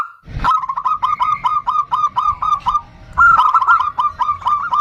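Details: Female zebra dove calling the male: two bursts of rapid, staccato cooing notes near one pitch, the first run longer with about a dozen clipped notes, the second denser and slightly higher, after a brief opening thump.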